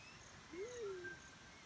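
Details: A single soft, low hoot from a black-chinned fruit dove, swelling upward then gliding down and fading, over a quiet natural background.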